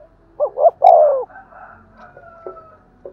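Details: Spotted dove uttering one 'thúc gù' urging coo phrase, a style used to excite decoy doves: two quick notes and a longer falling coo, followed by faint, scattered background sounds.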